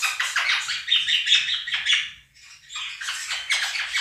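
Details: Two pet Quaker parrots out-shouting a budgie recording with loud, grating squawks in quick succession, a brief lull midway, then another run of harsh calls.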